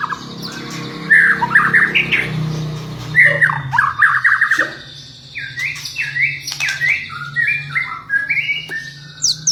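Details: Champion white-rumped shama singing to draw other shamas into reply: varied whistled phrases and quick slurred notes in bursts, a pause, then stepped repeated whistles, over a low steady hum.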